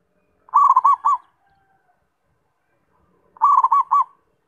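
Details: Zebra dove singing two matching phrases of quick, rolling coos, each about two-thirds of a second long, nearly three seconds apart, with a faint thin note between.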